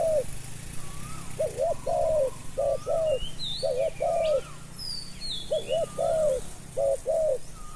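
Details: Spotted dove used for luring wild doves, giving a series of low two-part coos in steady bursts. Thin whistles and chirps from other birds sound above it, over a low background hum.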